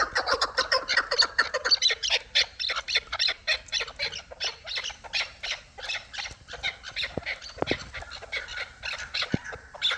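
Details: Hybrid and local chukar partridges call together in a dense, overlapping chatter of rapid, raspy clucks and squawks, several per second, loud and continuous throughout with a few sharp clicks near the end.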